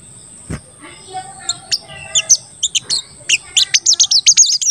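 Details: Crested jay (sogon) lure call meant to rouse other sogon, starting with scattered high notes after a single click, then speeding into a rapid run of shrill 'cuit cuit' chirps, about four per second.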